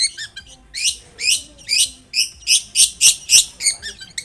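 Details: Lively Long-tailed shrike song meant to coax other shrikes into singing: fast series of harsh, scratchy rising notes, three or more per second, grating and insistent throughout.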